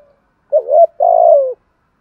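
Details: Single spotted dove phrase in the 'thúc gù' urging style, used to provoke other doves: a short bouncing double note, a brief gap, then a long, steady coo that slowly drops in pitch.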